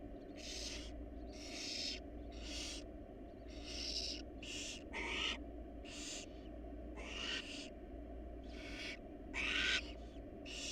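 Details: Wild barn owl family inside a monitored nest box: about eleven harsh, broadband hissing bursts, each under half a second, come at uneven intervals over a steady low electrical hum.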